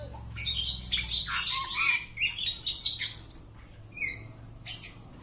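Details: Home-kept Oriental magpie-robin singing a varied, fast song of sharp whistles, buzzy squawks and rising and falling chirps in quick bursts, then shorter spaced phrases, with a faint low hum behind.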